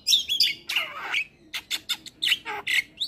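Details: Javan myna (jalak kebo) in full vigorous song, played to coax silent or stressed mynas into singing: high whistled slurs and a harsh descending rasp, then a run of short clipped chattering notes.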